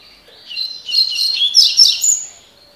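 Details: Double-collared seedeater singing tui tui (tocó) song: a lively two-second stream of loud, buzzy, high chirps and rapid warbles that swells in the middle and fades, with a quiet background.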